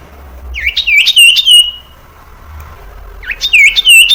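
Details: Common iora song meant to train young birds to sing: two bursts of rapid, looping whistled notes, each about a second long, separated by a quiet gap with low background hum.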